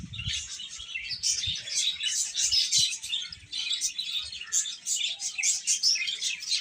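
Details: Young chickens giving a steady chorus of shrill, overlapping peeps, with a few dull low knocks near the start and scattered faint thuds.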